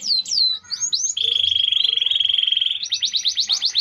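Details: Kenari AF canary in full gerek song: sweeping whistled slurs lead into a sustained, even, high-pitched rattle, then a run of rapid rising-falling chips. A faint murmur sits underneath.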